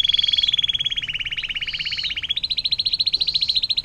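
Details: A canary's long water-fountain song for training other songbirds: continuous buzzy pulsed trill that dips slightly, then jumps higher and keeps rolling evenly.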